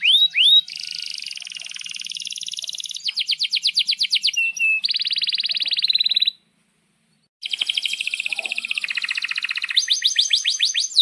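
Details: Canary song for tutoring young canaries and birds that have stopped singing: varied phrases of buzzy rolling trills, rapid repeated notes and high whistles, with a short pause midway.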